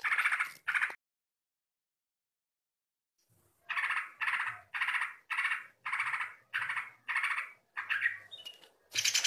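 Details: A greater green leafbird (cucak ijo) gives harsh, buzzy "ngentrok" rattling bursts, about two per second after a brief pause, each a dense chattering phrase at a steady pitch, used as a song-tutoring reference.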